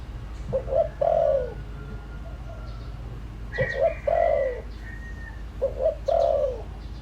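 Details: Lure call of a decoy spotted dove: three soft coo phrases, each a quick double note then a longer descending coo, with a faint thin whistle from another bird between them.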